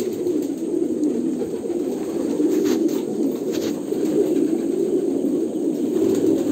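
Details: Kolkata pigeons in a group, their overlapping deep coos forming a constant warbling hum, with occasional soft taps.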